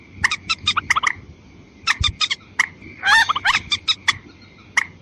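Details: Watercock lure call for females and males, with sharp, clicking notes spaced in short groups and one louder rasping, rising burst midway, over a constant thin hum.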